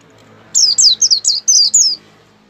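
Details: Vigorously singing white-eye: a brief burst of six or seven quick, high, sweeping notes, each sliding downward, delivered in a rush against quiet low background noise.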